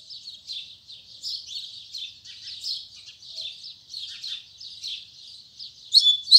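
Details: Double-collared seedeater singing in the morning in the tui tui zel zel song style: a steady run of rapid buzzy high chirps and trills, with louder sharp whistled notes bursting in at the end.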